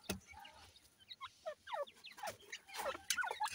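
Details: A female grey francolin feeding her chicks: soft, quick downslurred chirps and peeps come every fraction of a second, mixed with low clucks and faint scratchy background noise.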